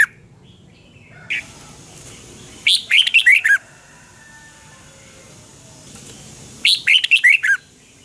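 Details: Red-whiskered bulbul, morning song for training other birds, two full phrases of fast warbled whistles about four seconds apart, opening with a brief high note and followed by quiet background hiss.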